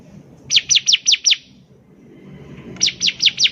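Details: Bar-winged prinia (ciblek) in lively song, used to coax untrained birds into singing: two short runs of about five sharp, high, down-slurred chirps over a quiet low hum.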